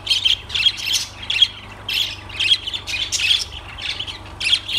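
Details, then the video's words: Lovebirds give harsh, high, screechy squawks in quick bursts, several each second, with short pauses between; no other sounds stand out. "Lovebirds Sounds"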